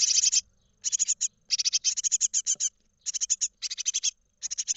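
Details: Great tit nestlings in a nest box in Israel on 31 March 2021, hatched 12 March and getting ready to leave, beg with rapid bursts of high, hissing, raspy chirps in short volleys, several chicks calling over one another.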